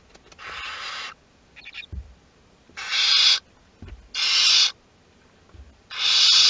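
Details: Western barn owl in a nest box at Théding, France, on 22 August 2021, during hatching of the second brood's chicks. Four loud, harsh, broadband hissing bursts, each about half a second to a second long, come at intervals of roughly a second or more.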